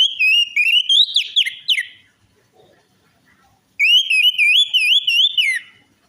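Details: Lure recording of an orange-headed thrush meant to make a silent or stressed bird sing: two loud bursts of quick, rippling whistled phrases, wavering up and down, separated by a short pause.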